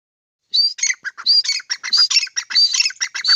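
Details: A grey francolin (teetar) calls in a fast, continuous series of sharp, screechy, high notes with a rasping, chattering rhythm after a moment of silence.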